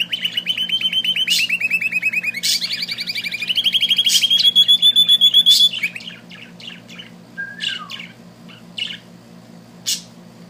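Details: Singing little bird pours out a loud, rapid chirping trill that steps up in pitch for about six seconds, then falls to scattered soft chirps and a single downslurred whistle over a quiet background hum.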